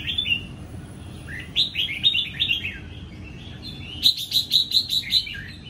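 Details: Red-whiskered bulbul from Sông Kon, a young caged bird sunbathing on a Vietnamese morning after moulting, singing ché, 20 April 2022. Slurred whistled phrases rise and fall, then a fast run of seven crisp, evenly spaced chirps.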